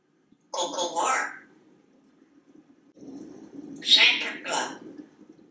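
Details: African Grey Parrot, a talkative male hatched in 1997, kept indoors in a Texas home, perched on a kitchen faucet; two short speech-like utterances with a quiet pause between, over a low steady room hum.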